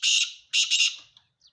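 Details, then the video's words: Male black francolin calling: a harsh, rasping burst followed after a short pause by two quick grating notes, loud and clear against a quiet background. "کالا تیتر کی اواز"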